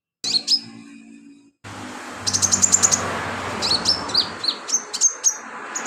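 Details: Energetic sunbird song used as filler material for tutoring cage birds: quick runs of very high, clipped chirps, then a string of separate sharp downslurred whistles, with a low hum underneath.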